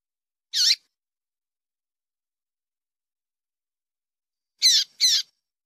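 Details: Female Double-collared Seedeater calls used to stimulate male singing in captivity; a single sharp high chip, about four seconds of silence, then a quick double chip.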